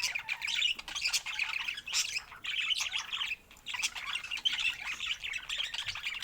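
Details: Colourful budgerigars warble in scratchy, chirping bursts lasting about a second each, broken by short quiet gaps.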